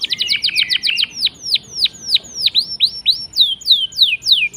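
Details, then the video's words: Canary song used as a lure for silent canaries: a rapid high trill opens, then a series of sharp downward-sweeping whistled notes repeated about three times a second. "Pancingan Kenari Gacor Ngeroll panjang!! Buat Kenari Macet Bunyi pun Langsung Respon"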